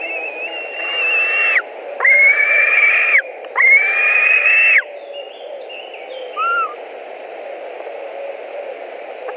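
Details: At a Latvian white-tailed eagle nest in July 2020 as fish is brought in: three drawn-out, level, wheezy whistles in quick succession, then fainter short whistled notes and a soft low hum beneath.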